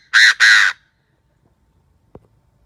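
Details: Chinese francolin kept as a decoy to attract wild birds utters two loud, coarse, rasping notes back to back, then quiet with a single soft click.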